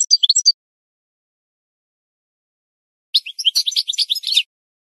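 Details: Goldfinch song played to train birds: a quick half-second twitter, nearly three seconds of quiet, then a dense scratchy burst of chirps and trilled notes.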